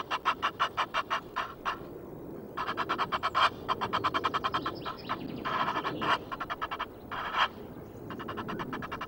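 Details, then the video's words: Noisy Egyptian geese filmed by webcam at Loch of the Lowes in Scotland on 5 March: rapid trains of rasping, pulsed honks in several bouts, separated by brief pauses, over a low background rumble. "Egyptian Geese, noisy"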